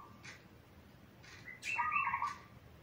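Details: Zebra dove, sung as a master for young doves in training, giving a short, quavering trilled coo with a brighter upper note, after faint taps and clicks.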